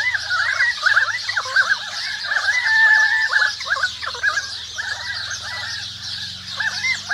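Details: Currawongs call through a forest: dense, overlapping warbled and bouncing notes repeated several times a second, while sparrows and other birds keep up a continuous high, buzzy twitter and a low hum runs underneath.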